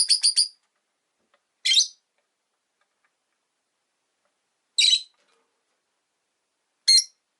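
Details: Rosy-faced lovebirds kept as pets in a cage near a window, five in all: a quick burst of three rasping chirps, then three single harsh chirps spaced irregularly, with silence between.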